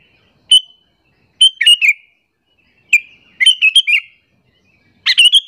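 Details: Bulbul lure call, sooty-headed bulbul, aimed at angering rival birds: a single chirp, then a run of quick bubbly notes, repeated in five phrases of varying length with short silences between them.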